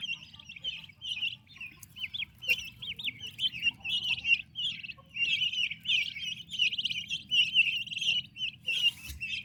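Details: Several healthy, active turkey chicks in their mother's care give high, wavering peeps in quick bursts. The calls overlap into a steady chatter, with occasional clicks and knocks.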